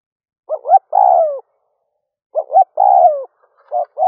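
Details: Early-morning cooing from a spotted dove used as a lure for wild doves: two quick hooted notes followed by a long, drawn-out, downward-sliding coo, twice, then the start of another phrase. No background noise.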